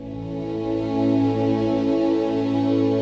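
Soft, sustained new-age style music with held tones throughout and no animal sounds.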